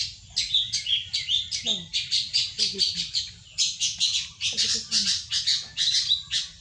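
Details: Ciwah singing for use as a lure or master bird: pulsing bursts of high scratchy twitters in quick succession, faint low voice-like sounds between phrases, and a steady low hum throughout.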